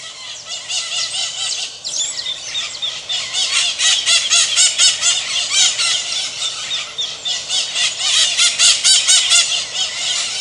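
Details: Maritacas calling in a shrill, harsh chorus of overlapping screeches, about two per second, steady and loud throughout with several birds apparently calling together.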